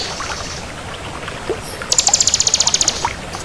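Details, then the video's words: Crystal-type bar-winged prinia: a soft high trill fades, then a clear burst of rapid, evenly spaced, very high metallic pulses runs for about a second over background hiss. "Suara Burung Ciblek Kristal Gacor"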